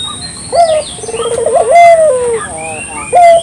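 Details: Lure recording of a local dove calling: a brief clipped note, a vibrating rolled trill and a long gently falling coo, then another short note, with faint thin bird calls around.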